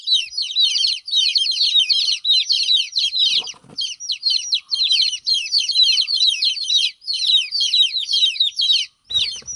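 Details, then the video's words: Baby chickens peeping for their absent mother, clustered bursts of sharp, high, downward-gliding cheeps about twice a second, with a couple of dull bumps in the background. "Chicks chirping"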